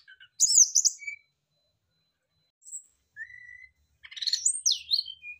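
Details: Answering song of Brown-chested jungle flycatchers, used to trigger other birds to sing: chirpy bursts, a short rising whistle after a pause, then a busy run of high twittering and slurred notes.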